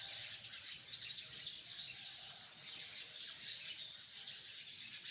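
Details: Massed chirping from hundreds of sparrows gathered in a tree: a thick, unbroken curtain of sharp, high twitters that swells and dips slightly in loudness.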